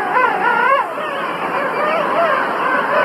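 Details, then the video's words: King penguin giving a loud, warbling trumpet call with a fast pulsing tremor, over a steady din of other penguins calling in the colony. "king penguin sounds"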